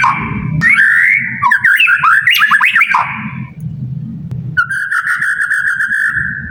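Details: White-rumped shama song used as a lure to prompt other caged shamas to sing, for daily training or contest setting; varied, slurred whistled phrases at mid pitch, then a steady buzzy note, over a constant low rumble.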